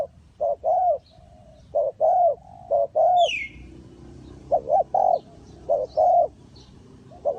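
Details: Spotted dove coos used for luring wild doves in bird trapping, Ninh Thuận: paired soft hooting notes, one clipped and one longer and slightly arched, in bursts with a short pause midway and a faint high bird chirp.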